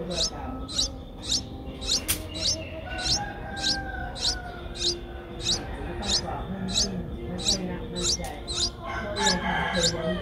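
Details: High, thin, repeated chirps from 8-day-old Streak-eared Bulbul nestlings, eyes newly opened, Ubon Ratchathani, Thailand, 10 April 2023; around seventeen evenly spaced notes, plus a single click and faint low noise.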